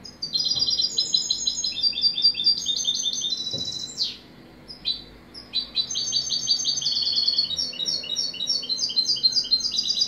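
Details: European goldfinch singing a fast, dense twittering song of bright tinkling notes and liquid trills, with a brief sweeping whistled note near the middle before the rapid chatter resumes; background otherwise quiet.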